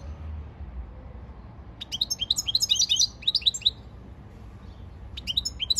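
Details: European goldfinch training song in which a dense flurry of bright twittering notes follows a quiet start, then pauses before a further short run of high chirps.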